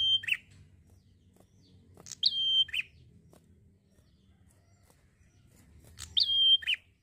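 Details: A prinia sings at ease with three phrases spaced about two seconds apart. Each is a crisp chip and a sustained high whistle closing with a rough, buzzy drop. Quiet pauses fall between the phrases.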